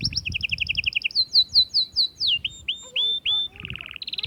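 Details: Atlantic canary song to excite hens for mating: quick chirping pairs give way to loud downslurred whistles, drawn-out whistled notes, a brief low buzzy trill and a final high rattle.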